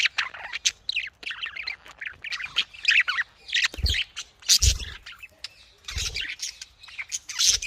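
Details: Breeding budgerigars in a cage fill the air with continuous raspy chatter, sharp squawks and twittering phrases from several birds, punctuated by low thuds.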